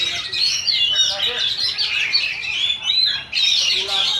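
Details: Oriental magpie-robin at a Friday practice singing contest in Indonesia, session two of the magpie-robin class; dense, fast warbled phrases of sweet whistles and twittering notes run almost without pause, with people talking nearby.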